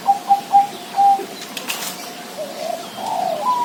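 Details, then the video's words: Zebra dove song opening with quick, clipped staccato coos, then softer warbling coos, over a quiet background. "suara perkutut"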